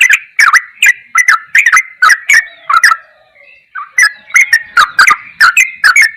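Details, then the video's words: Sooty-headed bulbul in the ropelan goklikan style, masteran recording: a quick series of clicky, falling notes, a brief quiet break with a soft low warble near the middle, then the rapid notes start again. "MASTERAN TRUCUKAN TERBAIK || ROPELAN GOKLIKAN TOP"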